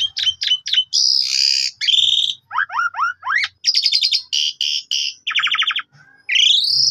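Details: Asian pied starling in full song, played to lure and teach other birds: quick sharp notes, harsh buzzes, a run of descending slurred whistles, stuttering rattles and a closing rising whistle.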